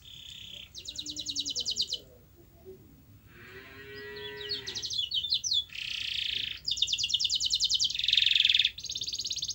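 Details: Canary song meant to prompt a silent canary to sing: fast rattling trills and buzzy rolls in high bursts, with a lower harmonic warble midway and a faint background hiss.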